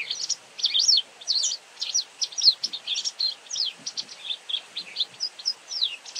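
A white wagtail twitters nonstop: a quick, uneven run of sharp, high chirps and slurred notes, several each second, over faint background hiss.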